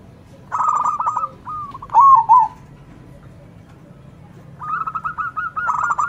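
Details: Zebra doves calling back and forth, one loud-voiced bird singing against local doves. Bursts of rapid, rolling coos alternate with a couple of louder, drawn-out arched notes, separated by quiet gaps over a low background hum.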